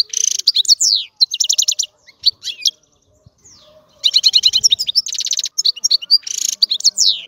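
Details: European goldfinch song in two bursts separated by a quiet gap: rapid liquid twitters, downslurred whistles and nasal buzzy trills, with faint soft thumps in between.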